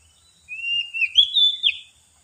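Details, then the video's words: Oriental magpie-robin lure song: one sustained, sweet, whistled phrase lasting about one and a half seconds, sliding up and down with slurred inflections, in otherwise quiet surroundings. "suara pikat burung kacer paling AMPUH terbaru"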